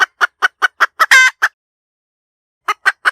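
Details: Hen cackle with evenly spaced sharp clucks about five a second, one long strained squawk in the middle, a pause, then three more clucks.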